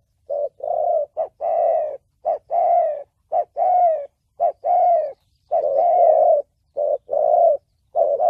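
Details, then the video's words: Spotted dove in the 'thổ bầu' voice style, used to lure birds for trapping and decoy training: rough, hoarse coos in short-then-long pairs, repeated roughly every second, with a few clipped extra notes. "Tiếng chim cu gáy giọng thổ bầu chuẩn âm mới nhất, kích bổi,đi bẫy, tập mồi"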